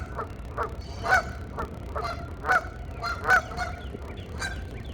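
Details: Geese talking with each other, described as a mating call, trade loud nasal honks, several strong ones about a second apart, among softer clucking notes over a low background rumble.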